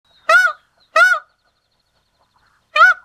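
Indian peafowl giving three loud, nasal, honking wails, two in quick succession and a third after a pause of about a second and a half.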